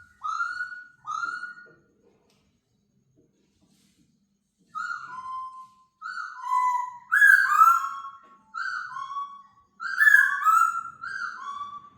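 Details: Laughingthrush released indoors for the first time, singing clear whistled two-part phrases, a high note sliding down to a lower one, repeated in bursts with brief pauses; quiet room otherwise.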